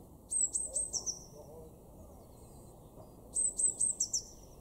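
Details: Eurasian blue tit in a garden in Weener, East Frisia, in Germany's far northwest, March 2024: two high, thin phrases of sharp whistled notes running into a short, lower trill, about three seconds apart over a quiet background.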